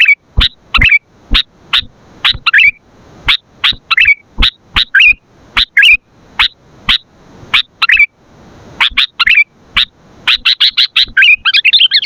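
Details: Energetic sooty-headed bulbul song used to lure and train other bulbuls: a steady series of sharp chirps, some with a short gurgling tail, roughly twice per second, quickening at the end into a rapid bubbly flurry.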